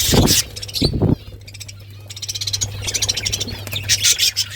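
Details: Budgies chirping: two loud low thumps open, then rapid high chattering and warbling chirps in pulsing bursts over a steady low hum.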